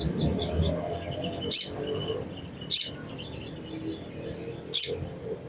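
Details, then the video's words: Chattering call of a crimson sunbird, used to prompt other sunbirds into song: three piercing high chips about one to two seconds apart, separated by faint high twitters, with a low murmur underneath. "SOGON | SOGOK ONTONG | SUARA CECRETAN AMPUH MERANGSANG BUNYI SOGON BAHAN"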